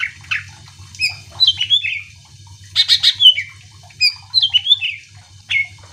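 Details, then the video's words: Greater green leafbird song with harsh squawking phrases and whistled slides, played to provoke other birds into singing; notes come in clustered bursts with pauses, over a low pulsing hum. "Cucak ijo gacor AMPUH bikin burung mu langsung emosi ikutan bunyi"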